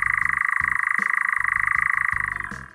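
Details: A European (Eurasian) nightjar churring at night: an unbroken, very fast, dry, high-frequency trill, steady in pitch, that sounds like a screaming insect from far away and fades at the end.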